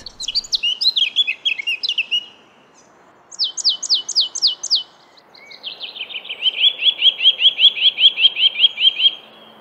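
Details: In spring breeding season, a Eurasian blackcap sings a territorial song, similar to a robin's but more upbeat: a quick, scratchy warble, a burst of bright descending notes, then a loud, clear, rapidly repeated fluting phrase.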